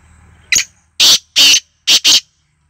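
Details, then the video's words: Black francolin (kala teetar) calling: a short sharp opening note, then four loud, harsh, rasping bursts, the last two close together, all within about two seconds, over a faint low hum. "Black Francolin"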